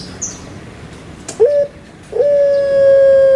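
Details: Pet puter pelung Barbary dove from Indonesia: a short rough coo, a pause, then a clear long-held steady note, with a faint chirp from another bird at the start.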